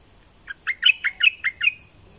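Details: Southern Thai bulbul, known locally as nok dok taeng, singing a quick phrase of about six loud, clipped notes with bright overtones, each note sweeping down slightly, delivered in just over a second against a quiet background.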